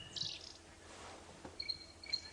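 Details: Stierling's barred warbler calling during a sunrise safari drive on 29 July 2016 amid the morning dawn chorus gives high, clear whistled notes, a quick burst and then several short repeated pips, over a soft natural background hiss.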